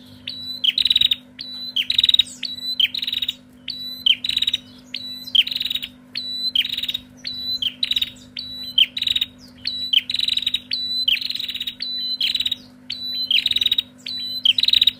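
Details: Female bar-winged prinias call back and forth noisily in sharp, buzzy, high bursts repeating about once a second, over a steady low hum.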